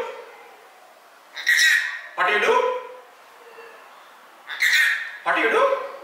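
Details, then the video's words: Rainbow lorikeet kept as a pet, mimicking speech to ask what its owner is doing: two pairs of grating, squawky syllables with a speech-like rhythm, separated by a quiet gap of about two seconds. "Bird funny question,"What you do?"."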